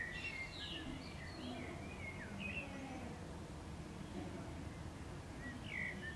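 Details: Summer Common Swift (Apus apus) activity at a wall near nest boxes under inspection; several shrill, buzzy screams in the first two and a half seconds, then quiet rumbling noise and one brief final scream.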